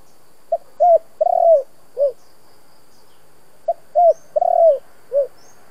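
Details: Spotted dove in the 'giọng thổ' style that excites decoy doves. It repeats a four-part phrase twice: a clipped note, a bent coo, a drawn-out quavering coo and a short falling coo, over faint distant chirps.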